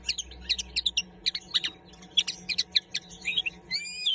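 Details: Singing common linnet giving a fast string of sharp twittering notes, roughly four per second, ending in a drawn-out nasal harmonic note, over a quiet low hum.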